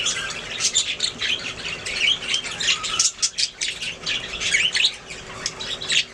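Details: Budgies singing, a steady stream of squeaky, chattering warbles with rising and falling high notes and sharp chirps mixed in.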